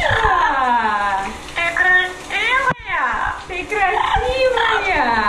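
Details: Operatic singing by a pet male yellow-naped amazon in a New Jersey shower: warbling, wavering harmonic notes, a steep rising sweep then a falling glide, with brief pauses between phrases.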